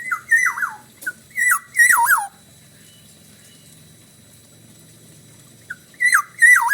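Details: Bali-style black-naped oriole song: a quick run of four mellow whistles that dip and loop downward, then a pause of several seconds before two more phrases. Faint hum in the background.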